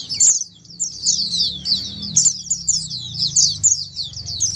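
Several Oriental white-eyes sing together in a dense, high, rapid twittering of thin chirps and trills. A faint low hum runs beneath.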